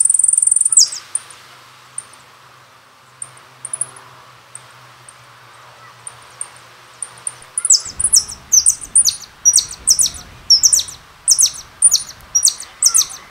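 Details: Goldfinch (jilguero) song: after a quiet start with scattered faint high notes, a run of loud, sharp, high-pitched notes rapidly descending in pitch, repeated at a quick, fairly steady pace for several seconds.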